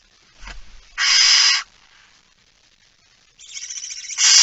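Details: Barn owl at its nest during feeding, recorded 19 September 2019 at 05:28; one loud rasping hiss follows a soft knock, then after a pause a wavering hiss swells into another loud one.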